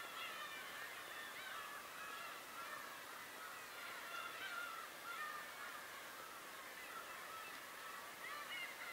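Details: Tobishima birds in a constant, dense chorus of overlapping harsh and mewing calls. Short whistled notes stand out now and then over the steady wash of voices.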